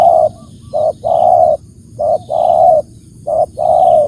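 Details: Spotted dove cooing: short low coo notes followed by long hollow purring coos, the phrase repeated three times, loud and close, with a faint high hum behind.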